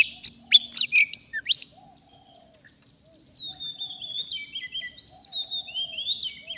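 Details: Wild forest Oriental magpie-robin during a luring session. Two seconds of loud, sharp chips and whistles, then a pause, then long, softer, thin whistled notes that glide and wobble gently.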